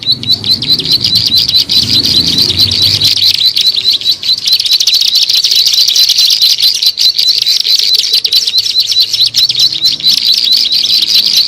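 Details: Bar-winged prinia calls from a lure track: steady, rapid high chatter of buzzy ticking notes running nonstop, with a brief low rumble at the start.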